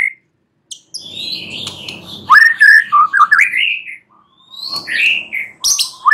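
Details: Night-time song of a white-rumped shama: fluid, looping whistles that climb and dip, delivered in quick runs broken by brief pauses, with sharp high notes scattered over a faint low background murmur.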